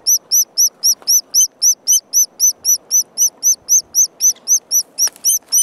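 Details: At park headquarters, a white-headed woodpecker chick in an unusual nesting spot, with its mother out finding food, repeats a high, thin, slurred note about four times a second, steady and insistent, over a faint low rumble.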